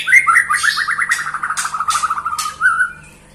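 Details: White-rumped shama song: a long, fast chattering trill of rapid rising-and-falling notes, gradually dropping in pitch over about three seconds, with a few scratchy bursts overlaid and a steady low hum beneath.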